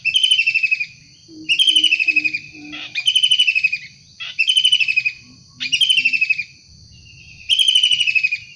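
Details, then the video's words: Wild kingfisher calling repeatedly in lively form: six rasping, pulsed chatter bursts about one and a half seconds apart. Short low hooting notes come from another bird, and a thin high tone runs continuously. "Tengkek udang gacor asli alam liar"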